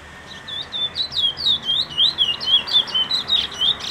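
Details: High, slurred chirps from a brown bullfinch, each note dipping and rising, repeated steadily about twice a second for the full four seconds over a soft hiss.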